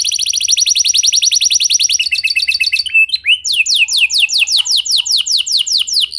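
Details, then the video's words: Lure song of a canary meant to make other canaries sing along: a rapid rattling trill, a short tangle of notes, then evenly spaced, sharp descending whistled sweeps. "Pancingan Suara Burung Kenari Lagu Unik! Buat Kenari Mana Saja Pasti Ikut Bunyi"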